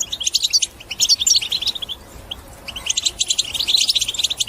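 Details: European goldfinch batbata song for encouraging other birds to sing: two bursts of fast, high twittering with liquid rising notes, separated by a pause of about one second.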